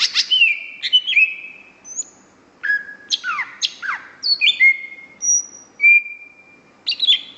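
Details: Greater green leafbird, a national first-place winner of a singing competition in 2014, delivering a varied, rich song of fast whistled slurs, rising and falling sweeps and sharp high notes in bursts with short pauses, no other sounds.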